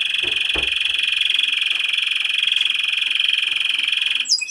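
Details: Timbrado Español canary male, a German championship vice-champion from 2013, holding a long steady metallic trill with faint low knocks near the start and a brief sharp note at the end.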